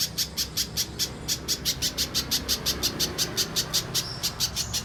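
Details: Pijantung pisang spiderhunter, clear mbeset song used to train contest songbirds: quick repeated high ticking notes at nearly three per second, with a faint rising whistle near the end and a soft low rumble beneath.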